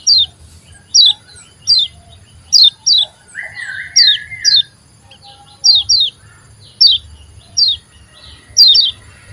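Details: Oriental white-eye giving high, thin, downslurred whistles, often in quick pairs, repeated through the clip, with one buzzy lower warble near the middle and a steady low hum behind.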